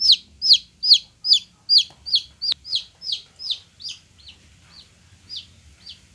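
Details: Golden chicks give shrill, falling peeps in quick regular series, loud at first then fading and spacing out toward the end, with one sharp click midway and a soft low hum beneath.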